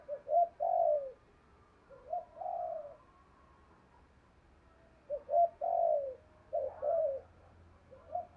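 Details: Spotted dove calling to stir other birds, heard at a distance over a low hum: groups of two short coos followed by a longer falling coo, repeated in spaced phrases.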